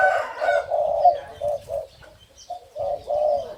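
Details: Caged male Spotted Dove of the hybrid 'sai din' line crows while hopping about, one of the father's pair of males. Low rounded coos come in short bursts, with a brief pause mid-phrase before the cooing resumes.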